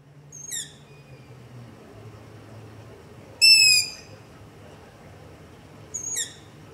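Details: Long-eared owl begging calls recorded at night near a house with a Zoom H5 and LOM Usi Pro microphone: three high, squeaky, slightly descending screeches, spaced about three seconds apart, the middle one loudest, over quiet background hiss.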